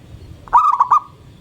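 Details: Morning song of a local zebra dove in full voice, said to get other birds singing: one short phrase of three or four soft, rolling cooing notes with a trailing hum, over a low rumble.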